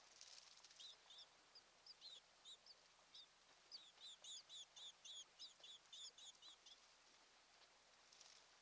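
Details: Osprey at a nest on Kent Island, Maryland, filmed by a nest camera on a June 2018 morning, giving a long series of high, sharp whistled chirps, about four per second, at first scattered and then steady, with soft background hiss.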